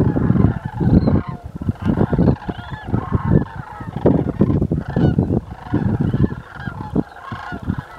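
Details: Sandhill cranes, part of a flock of about 550 in a field just west of Port Rowan, Norfolk County, Ontario, call in a dense, overlapping chorus of loud, rolling, rattling bugles, many birds honking at once with no gap.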